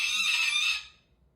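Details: Angry pet cockatoo giving one harsh, raspy screech under a second long that fades out, near a bird feeder as a man talks before and after.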